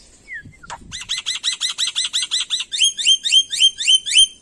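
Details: Indonesian black-winged myna singing a mimicked series: after a whistle and a click, about fifteen quick arched chirps in a steady run, then a set of high rising upslurred notes.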